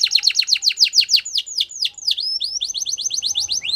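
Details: Canary training song with rapid, evenly repeated descending notes, a few slower swooping slurs in the middle, then a quick series of rising chirps.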